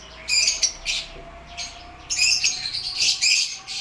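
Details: Lovebirds calling: sharp, high chirps and squawky bursts in several clusters separated by brief quieter gaps.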